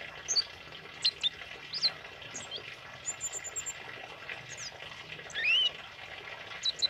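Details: Tame male pied fantail in full song: bursts of thin, high squeaky chirps and quick upslurred whistles, irregular and jumbled, with a brief rising buzzy note near the end over constant background hiss.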